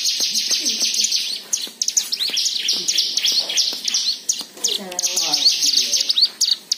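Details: White-eye singing as a prompt for other birds: a sustained stream of high, thin twittering with rising slurs, a brief low trilled flourish midway.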